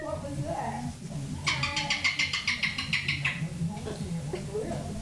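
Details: A pet cockatoo competes with a woman's laughter and grows louder, letting out a rapid run of about ten harsh, raspy squawks over two seconds, with people's voices and room noise around it.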